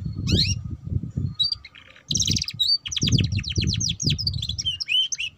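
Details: Young canary song used as a lure to prompt juvenile canaries to start singing: rapid trills and sweeping whistled notes high up, with dense low rumbling noise underneath.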